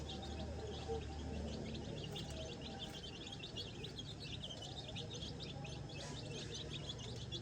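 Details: Tiny baby chicks exploring grass on a farm, scratching the ground and learning to find food and insects on their own without their mother hen; thin high peeps repeated rapidly and irregularly from several chicks over a low rumbling background.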